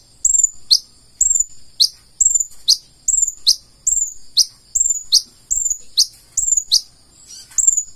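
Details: Purple-throated sunbird (konin) in lively full isian song: bright high whistled notes that slide down sharply, repeated roughly every half second in a steady series, with faint low thumps beneath.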